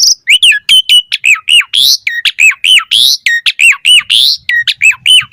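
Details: Varied song of an Asian pied starling, known locally as jalak suren, meant as a lure: a rapid, nearly continuous string of loud hooked whistles and short squawky notes, repeated almost once a second.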